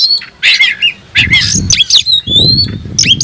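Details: Oriental magpie-robin singing in search of a rival: loud harsh chattering notes and a long drawn whistle, with quiet gaps and low rumbling noise between phrases.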